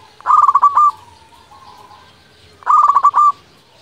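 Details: Local zebra dove (perkutut lokal) cooing as a lure to provoke rival doves into answering; two bursts of rapid bubbling, trilled coos around one second each, separated by a quieter soft purring tail and a pause.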